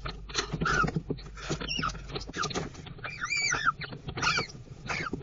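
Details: Adelaide rosella chicks inside a backyard garden nest box, climbing toward the entry hole: short, clear, rising-then-falling chirps come in quick bursts over steady scratching, tapping and a low hum.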